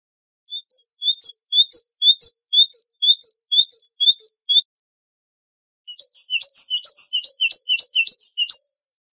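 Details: Great tit singing two bouts of quick two-note phrases, about two per second, bright and metallic. The second bout is denser and more varied, with extra high notes, after a pause of about a second.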